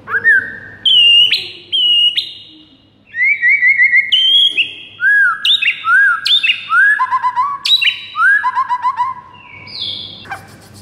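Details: Morning White-rumped shama song meant to prompt caged shamas to sing: loud pure whistles, a quick trill, then a series of arching whistled phrases stepping downward, each with high sharp notes, ending in buzzy high notes.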